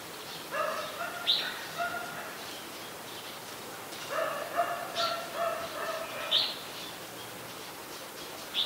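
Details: Adult red-whiskered bulbul song from Ubon Ratchathani, Thailand, recorded 3 January 2021: two runs of fast, full-toned, chattering warbled notes with sharp high accents, then single bright notes near the end.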